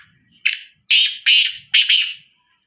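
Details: Harsh, buzzy call of a black francolin: one short rasp, a pause, then two strong grating notes and a final doubled note, each fading out.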